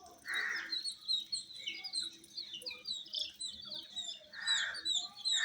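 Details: Baby chickens with colour-dyed down chirp in a softer, more distant peeping chorus, interrupted by breathy rustling bursts at the start and near the end.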